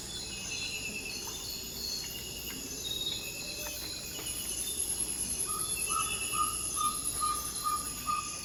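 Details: Ferruginous pygmy owl in the Ecuadorian Amazon rainforest, calling just before dawn with its territorial advertising call of repeated 'toop' whistles: about six evenly spaced, clear whistled notes in the final three seconds, over steady high-pitched insect buzzing.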